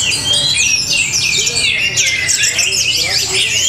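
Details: Orange-headed thrush singing from a cage at a bird contest in Tabanan, Bali: shrill, tumbling whistled phrases and quick warbles crowded together, loud and lively throughout.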